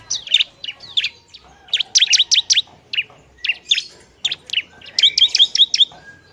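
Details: Bar-winged prinia in a lively, noisy semi-active song, used to stir up other prinias: rapid high, sharp chirps and buzzy trills in quick bursts, with a fast repeated rattle near the end.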